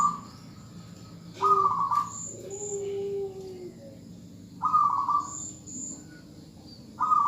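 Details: Zebra dove female calling a male, with three loud, buzzy trilled bursts spaced several seconds apart. Between them come softer, low, drawn-out coos, with occasional high double chirps behind.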